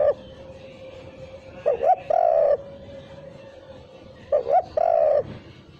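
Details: Spotted dove call for luring birds, without the 'kuk' note: two coo phrases, each a brief wavering note followed by a longer smooth coo, about two and a half seconds apart, steady hum beneath.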